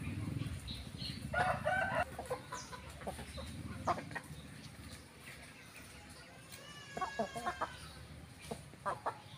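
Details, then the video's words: Rooster and hen, ayam kampung village chickens: a loud harmonic squawking call rising and falling for about half a second, then scattered short clucks and sharp notes over a low rumbling background. "Rooster and hen ayam kampung"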